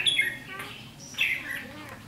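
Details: Red-whiskered bulbul decoy bird at a trap, 7 July 2016, singing its fighting song; two separate bursts of sweet warbled notes with a quiet gap between.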